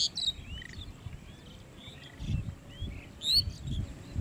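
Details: In Manikganj, lesser whistling ducks give a few high, thin upslurred whistles and short squeaks, sparse and fairly quiet, with a brief louder burst near the end over soft low background noise.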